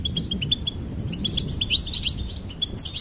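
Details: Goldfinch song, recorded to stimulate birds: a row of quick repeated chirps gives way to a bright, liquid twittering flourish. Steady low background noise continues throughout.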